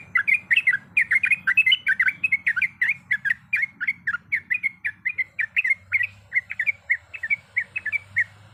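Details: Sooty-headed bulbul, a female calling the male, in a long rolling song packed with varied notes: rapid bubbly chirps repeated about four times a second for over eight seconds, with a low hum underneath.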